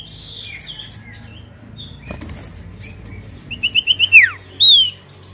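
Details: Common iora (cipoh, also called sirtu) song used as a lure to draw a reply. A quick run of five bright rising whistles slides into a falling slur, then one more high whistled note, over a soft low hum.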